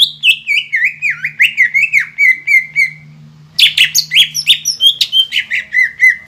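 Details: Green leafbird singing to spur other birds into song: a series of descending slurred whistles repeated in quick succession, a brief pause, then a burst of sharp chattering and whistled notes, with a faint low hum underneath.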